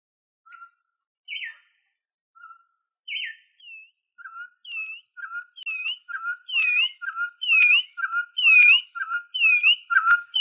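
Venezuelan troupial singing loud, clear whistled two-part phrases, rising then falling, repeated about once a second and building in strength.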